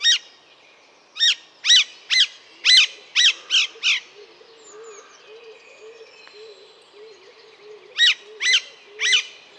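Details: Alexandrine parakeet uttering a burst of eight harsh screeches, then three more near the end, over soft low cooing in the background.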